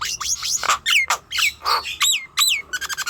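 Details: Nias hill myna song played to coax young, untrained or reluctant birds into singing: loud clear whistles swooping down and up, harsh squawks and rich harmonic notes in quick bursts, with short stuttered notes at the end.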